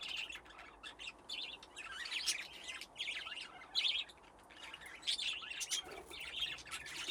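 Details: Budgerigar flock in an aviary with nesting boxes, grown from two pairs, playing: steady high warbling chatter with squeaky chirps and trills, several birds calling over one another.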